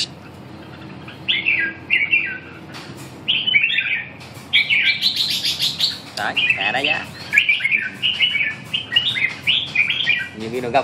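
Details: Red-whiskered bulbul giving a busy string of bright warbled and whistled phrases with scattered sharp clicks, a low voice-like sound near the end.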